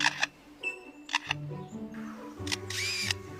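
A lyrebird copies a camera shutter with sharp, dry clicks and whirs in short bursts. Background music plays throughout.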